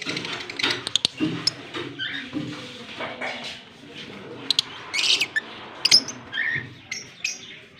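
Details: Kissing pair of lovebirds, a Fischer's and a blue personata, recorded in Larkana, Sindh, October 20, 2023; sharp high chirps and clicks scattered irregularly, with brief squeaky bursts amid rustling background.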